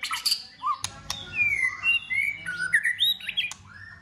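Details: White-rumped shama in competition singing, cold season, tail flicking: a short run of smooth sliding whistles, some swooping down and some rising, broken by sharp clicking snaps.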